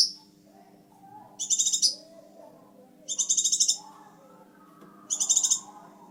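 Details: Vigorously singing scarlet minivet: three rattling, high-pitched buzzy phrases about two seconds apart, with a soft murmur of lower background noise.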